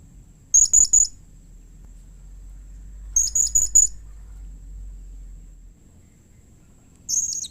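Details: Shrill, thin chirps of a blue-crowned hanging parrot, meant to provoke responses from others of its kind: a group of three, then four after a gap, and a longer squeal at the end, with soft low-pitched background noise.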